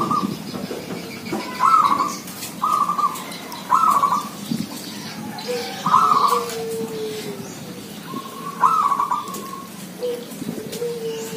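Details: A noisy gathering of village zebra doves: repeated brief rolling coo phrases at irregular gaps, mixed with longer, low, smooth coos from neighbouring birds and a light background hiss.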